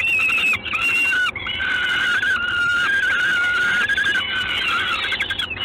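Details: Peregrine falcon at Gdańsk on a June 2016 evening: a sustained, hoarse, wavering scream running for several seconds after two shorter notes, harsh and nasal in tone, with steady hiss behind.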